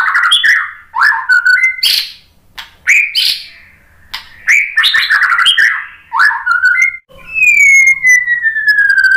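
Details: White-rumped shama lure song, meant to make other shamas reply and sing: repeated bursts of rich warbling and sharp notes with short pauses, closing with one long smooth whistle gliding slowly downward.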